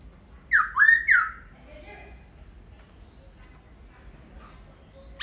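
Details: Laughingthrush delivering three loud slurred whistled notes in quick succession, then near silence with faint low chatter in the background.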